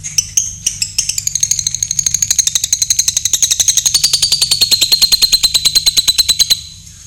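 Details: Caged pet lovebird giving a long ngekek during a night bath: a rapid, high, chattering trill of sharp clicking notes, about seven per second, running steadily for some six seconds with a faint low hum underneath.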